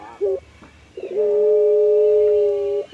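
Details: Puter pelung dove, a hobby songbird breed prized for its melodious voice: a brief coo, a pause, then one very long, smooth, level hooting note held for nearly two seconds.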